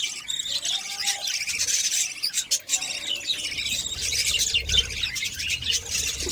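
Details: Budgerigar chicks being fed by their mother, producing a continuous, shrill, buzzy chatter of high squeaks that rises and falls without pause.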